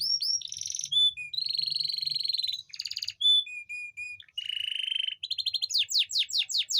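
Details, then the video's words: Canary song played to arouse females that are slow to mate: varied phrases of steady whistled tones, buzzy rolls and clipped notes, ending in a rapid series of falling sweeps. "Suara memancing kenari betina susah kawin"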